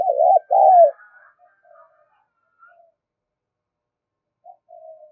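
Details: Spotted dove call for rousing a decoy bird: a pair of loud, trembling low coos at the start, trailing into soft murmured notes and long quiet gaps.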